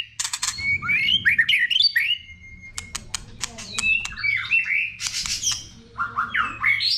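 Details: White-rumped shama song from a training recording: bursts of sharp clicks, a long thin level whistle, then tangled warbled phrases and rasping notes.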